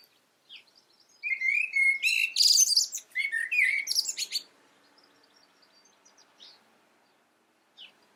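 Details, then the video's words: Blackbird phrase lasting about three seconds: low fluty whistles blending into a dense, shrill twitter, bracketed by a few faint, isolated high notes and long quiet gaps. "Blackbird calling"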